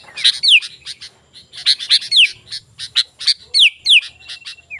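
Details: Sooty-headed bulbul sounds for luring wild birds to reply: bright chirps alternating with swift descending whistled slurs, spaced into short bursts, ending on a thin level whistle.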